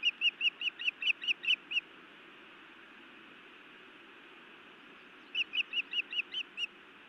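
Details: Female osprey scolding her mate at a Montana nest, a live nest camera: two bursts of short, shrill, whistled chirps repeated about every quarter second, separated by a few seconds of steady background hiss.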